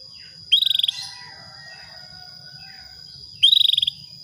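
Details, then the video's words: Calling female Atlantic canary, luring a male toward breeding readiness; two matching half-second trills about three seconds apart, each a quick string of around ten sharp high pulses at a steady pitch, with a continuous thin electronic tone behind. "PANCINGAN KENARI BETINA MEMANGGIL JANTAN"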